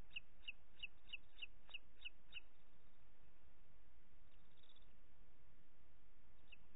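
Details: Booted eagle nest in Ports Natural Park, Catalonia, 25 June 2021, evening feeding of two chicks by the mother: about eight high, clipped piping notes in rapid succession, then two more near the end, over low hum.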